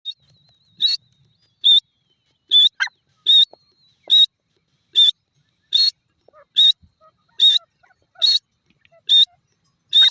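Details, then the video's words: Grey francolin, locally called teetar, giving sharp high-pitched notes repeated about once a second in a steady series, with quiet gaps and a few faint extra sounds between calls. "teetar ki awaaz,grey partridge bird sound"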